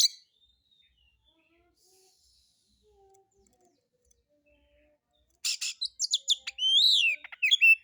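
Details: White-rumped shama, called kacer, singing a harsh-material lure to make other birds sing; mostly near silence, then a late burst of sharp clicks, ringing whistles and a drawn-out rising note.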